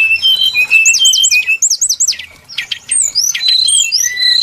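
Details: Brown-chested jungle flycatcher used to lure birds for trapping: quick high looping whistles in groups of three, a short pause, then sharp clicks and long slurred whistled notes.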